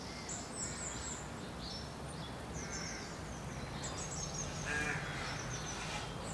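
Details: Rooks (Corvus frugilegus) at nests with young in late March give harsh, hoarse caws mixed with thin, squeaky higher calls, overlapping irregularly above a steady low rumble.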